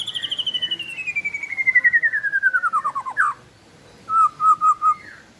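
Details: White-rumped shama in balak 8 style song, used to prompt silent shamas to sing: a long, pulsed trill sliding steadily down in pitch for three seconds, then three clear, level whistled notes.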